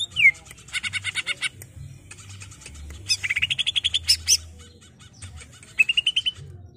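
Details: Greater green leafbird singing continuously, used as a training recording for a captive bird: rapid rattling trills and chattering bursts mixed with rising whistled slurs and fast repeated notes, with a faint low hum beneath.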